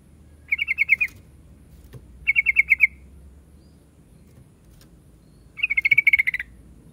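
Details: Yellow-vented bulbul song: three short bursts of rapid, evenly pulsed chattering notes at a bright, high pitch, each lasting under a second with pauses between, over a faint low background hum.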